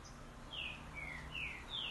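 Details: Green-winged saltator (trinca-ferro) singing the boiadeiro song style: four clear whistled notes, each sliding downward, spaced about a third of a second apart over a steady low hum.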